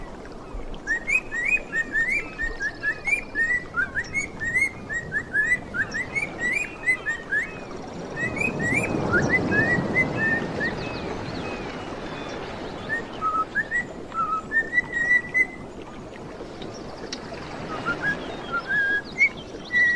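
Cockatiels sing bright, whistled warbling phrases, rising and falling chirps repeated in quick runs.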